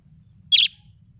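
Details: Pet budgerigar described as happy, giving a single short bright chirp of about a sixth of a second, high-pitched and slightly noisy, against a quiet low hum.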